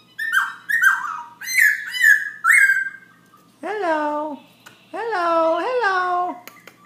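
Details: Black-throated laughingthrush in nonstop night song at 11 pm: five quick, bright, slurred whistles, then two longer, lower, nasal, arching notes with rich harmonics.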